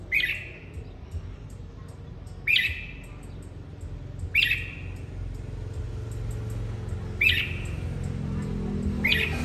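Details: Red-whiskered bulbul, singing to stimulate another bird to sing: short bright chirpy bursts around mid-high pitch, repeated roughly every two seconds, over steady low hum of background noise.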